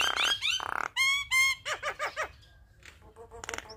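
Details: Active singing Javan myna, a recording for tutoring and luring other starlings: loud grating rasps, then a series of nasal, honking, down-slurred notes fading into soft scattered chips.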